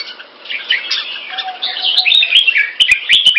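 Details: Red-whiskered bulbul, a caged red-faced Pama Dha (Burmese Sword) bird kept in Singapore, delivering a short run of bright chirping notes that grows louder toward the end, with several clicks.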